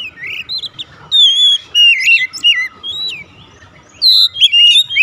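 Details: Kacer, Oriental magpie-robin, firing off 'nembak' song: short clear whistles, twisting warbled notes and pure high tones in rapid alternation.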